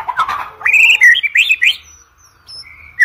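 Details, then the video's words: White-rumped shama song, used as a lure recording for training competition birds: a harsh, noisy opening followed by a quick run of bright warbled whistles rising and falling, then a quiet gap and a soft high note. "OCEHAN MURAI BATU PALING EDAN, COCOK UNTUK PANCINGAN MURAI BATU UNTUK LOMBA"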